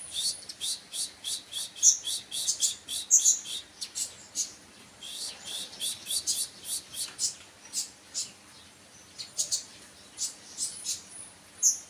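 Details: Steady stream of rapid, very high sunbird chips, given singly and in quick pairs about every half second, with few breaks.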